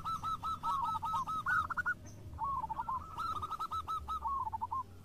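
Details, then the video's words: Local zebra doves singing actively and answering each other: two bursts of rapid, stuttering coo notes, each run ending in a quick rolling flourish, with overlapping voices and a low background rumble. "PERKUTUT JADI RAMAI SALING SAHUT !! (Perkutut lokal gacor)"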